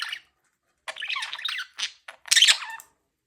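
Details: Chirping pet budgerigar indoors, a quick run of buzzy, scratchy chattering notes with short gaps, ending in a louder harsh squawk.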